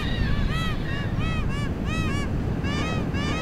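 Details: Peruvian gull calling repeatedly, bursts of curved, harmonic yelping notes about two to three per second, some doubled, set against constant loud low-pitched rumbling noise.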